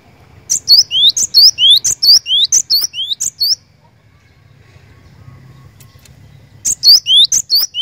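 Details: Cinereous tit gives a three-second run of repeated two-note phrases, a sharp high note then a lower rising whistle, pauses, then starts the same pattern again.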